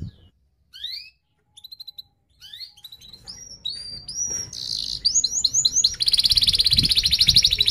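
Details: Canary singing as a lure for young canaries learning to sing: sparse high whistled notes and short rising sweeps, building into chattering phrases and ending in a dense, fast, tight buzzy roll.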